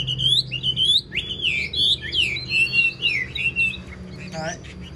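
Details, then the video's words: Wild-caught old Chinese hwamei, kept caged and praised for its voice, pouring out a continuous, loud, tumbling run of varied whistles, closing with a brief rattling note. "Chim già rừng chất giọng cực hay"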